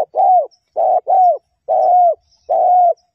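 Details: Female spotted dove calling to stimulate males, a noise-reduced decoy recording: a quick series of hollow coos, one pair close together and the rest single, each note ending with a slight downward slur.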